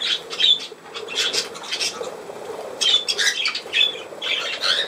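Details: Budgerigar dated 17 November 2024 chattering steadily, with a run of high squeaky chirps and brief whistled notes, loudest at the start and again near the end.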